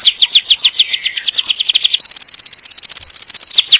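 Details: Yellow canary song aimed at readying the female and schooling the young: fast rolling high trill of slurred notes, shifting into a steady shrill buzzy trill near the end.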